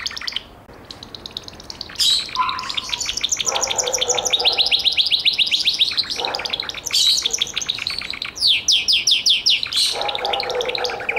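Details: Gloster canary singing: after a short silence, long rapid trills and rolling tours of fast repeated high notes, with softer low buzzy tones beneath and a run of loud downslurred notes near the end.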